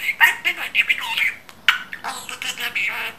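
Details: Talking pet budgerigar chattering in imitation of Turkish words; a near-continuous stream of thin, buzzy, high-pitched speech-like syllables with scratchy warbles and one brief pause midway.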